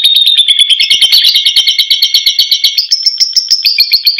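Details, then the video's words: Lovebird singing the long ngekek chatter in a lure recording: a loud, fast, unbroken rattle of sharp, high notes, about ten per second, steady for over four seconds and rising slightly in pitch toward the end. "PANCINGAN LOVE BIRDS GACOR FULL NGEKEK || love birds Parrot singing"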